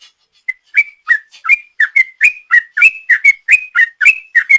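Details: Sooty-headed bulbul in long 'ropel' song, used as a lure. After a faint opening note, an even, quickening series of clipped whistles with click-like attacks follows, about three to four notes per second.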